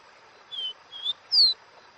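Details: Caboclinho giving the Dó Ré Mi song: three pure whistled notes spaced under half a second apart, the first two level, the last higher, louder and sliding down.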